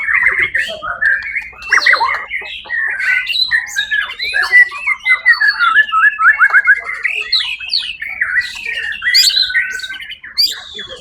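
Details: First-place white-rumped shama singing at the Suara Agung songbird contest, 1 October 2023; long energetic run of rapid chattering notes, clipped whistles and sweeping slurs, with a few bright high accents.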